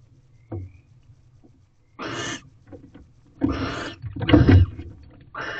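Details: Nest-box barn owl pair mating for the third night running, late evening in February. Broad, raspy hisses come in irregular bursts, with low thumps and rustling underneath.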